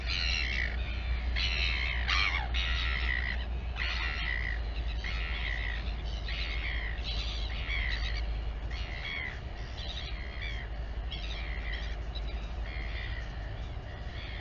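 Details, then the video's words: Royal albatross at the Taiaroa Head colony near Dunedin, New Zealand, as the mother feeds her chick: a run of short, harmonic, squeaky calls repeated several times a second, with steady wind rumble beneath. "Royal Cam Albatross - Mom LGL feeds the chick."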